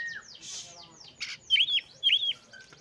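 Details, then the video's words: Oriental magpie-robin singing two loud, clear U-shaped whistled notes in succession, preceded by softer descending slurs and a brief buzzy burst. "KACER MANAPUN PASTI IKUT BUNYI DAN LANGSUNG GACOR !!!"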